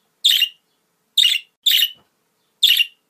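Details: Pet budgerigar sounds played to encourage budgies to mate and to prompt a caged bird to answer: four short, bright, scratchy chirps spaced irregularly, about one every second, with silence between.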